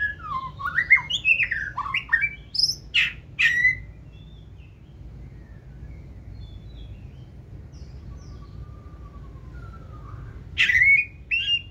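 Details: Forest-voiced song from a caged white-rumped shama that hops between perches with raised tail; rapid varied whistles and sharp upward flicks, a long quiet stretch with soft notes, then a final loud phrase.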